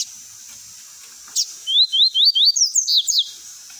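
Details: Tui tui style song of a double-collared seedeater, played to teach young birds: after a brief high note, a fast series of rising whistled slurs repeats several times in about one and a half seconds and climbs to higher, sharper notes.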